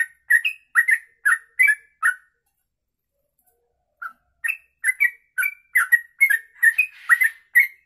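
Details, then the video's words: Long kongslet ropelan song of a sooty-headed bulbul: bright whistled chirps rattle off steadily for two seconds, pause nearly two seconds, then a faster run of liquid, slurred notes resumes to the end. "Trucuk Kongslet Ropelan Panjang, bisa buat masteran"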